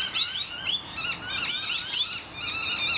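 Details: Distressed rainbow lorikeets screech at noisy miners raiding their hollow. Rapid, rising and falling squealing notes tumble over each other in a dense, shrill chatter with hardly a gap.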